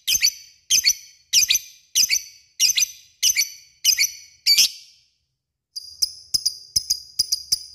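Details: Lovebird calling an opponent: a run of harsh, squeaky double-noted calls about every two-thirds of a second, then a pause and a quicker series of thin, ringing clicks.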